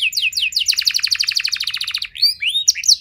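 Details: Canary singing to trigger other canaries into song: fast rattling trill of repeated high notes, followed by a few separate rising and falling whistled sweeps at the end.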